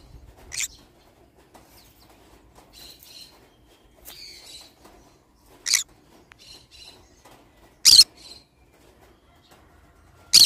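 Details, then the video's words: Pineapple green-cheeked conure, a pet parrot, mixing soft chatters with loud harsh screeches that grow stronger toward the end, roughly every two seconds. "pineapple conure sound"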